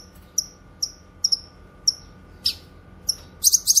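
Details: Cucak kinoy (grey-cheeked bulbul), a recording for training and luring: evenly spaced piercing high chips with quick falling tails, some doubled, then a closing flurry of fast buzzy notes.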